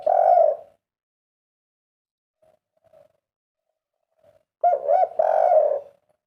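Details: Kuk 3 style coo of a spotted dove (derkuku): a phrase ends at the start, near silence with faint soft coos follows, then a fresh set of two bouncy coos and a long falling purr.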